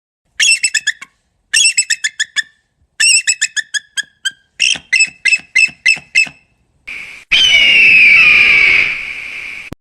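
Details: Bald Eagle calling: four bursts of high, thin, piping chatter, each a quick run of six to eight squeaky notes sliding downward, then a long loud sustained tone that swells and fades like music.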